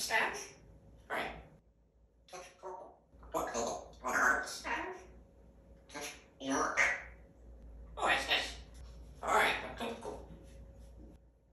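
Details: A two-year-old male African grey parrot in time-out gives a run of short, speech-like phrases and squawks, one or two every second, asking to come out; a quiet room hum runs underneath.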